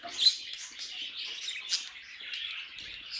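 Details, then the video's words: Short burst of pet budgerigar song: squeaky, scratchy chirps and twittering notes running together, with one loud high chip at the start. "Budgies Singing and Being Cute"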